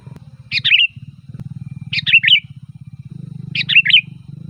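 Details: Sooty-headed bulbul song played to lure bulbuls in the forest or at home: three short liquid, bubbly phrases about one and a half seconds apart, each dropping at the end, over a constant low mechanical hum.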